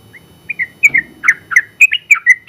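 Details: Caged Sooty-headed bulbul, a contest-winning trucukan in long ropel song used for tutoring, starts with a soft note, then rattles off quick slurred whistles, some paired, rising and falling.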